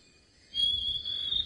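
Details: A Grey Tit-flycatcher, a small bird calling from a thicket at sunrise in the Sabi Sand, South Africa, in late February, gives one thin, high, drawn-out whistle that sags slightly in pitch over about a second, over a faint low rumble.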